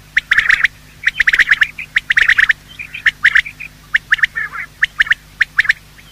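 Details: Male and female quail giving morning calls for luring quail during hunting: steady volleys of short, sharp, high notes in groups of two to four, repeated about once a second.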